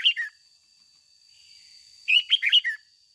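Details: Captive decoy red-whiskered bulbul, a short chirp then after a pause a lively run of five loud warbled whistles in the ché style, with a thin constant electronic tone.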